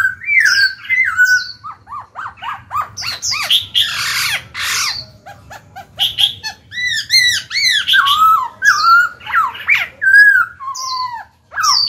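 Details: Lively black-throated laughingthrush song, aimed at prompting young wild-caught birds to sing: a mix of clear whistles, rapid downward-slurred notes and harsh chattering bursts, continuing for about twelve seconds.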